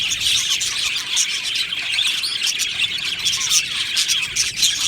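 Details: Australian budgie colony in an aviary chatters continuously, many birds giving high twittering chirps, quick warbled notes and scratchy squawks that blend into a busy, unbroken chorus.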